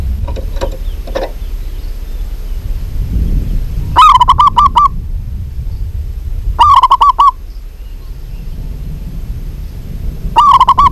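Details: Female local zebra dove calling to a male. A few faint clicks come first, then three quick stuttering coo phrases of fast, evenly pitched notes about every three seconds, with low background hum throughout.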